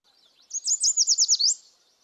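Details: Yellow Warbler singing its sweet, sweet, sweet, I'm so sweet song, sung mostly at the beginning of the season: a single quick, short, liquid, musical phrase of high rapid notes, lasting about one second, in silence.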